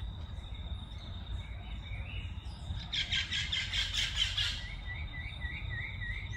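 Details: A just-fledged Plain parakeet chick exploring a garden under its parents' watch gives a short burst of harsh, grating chatter lasting a second or two, over a steady high insect whine and low background rumble.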